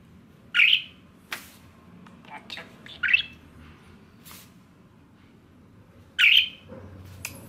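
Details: Pet male budgerigar, five years old, calls sharply when its owner tries to take off their glasses, seemingly to stop them. Three short, bright, piercing chirps sound several seconds apart, with faint clicks and soft chatter in between.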